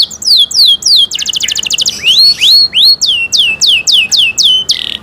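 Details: Canary song with repeated downslurred whistles, a short dense buzzy trill, rising swoops and a final harsh note, all loud and high-pitched.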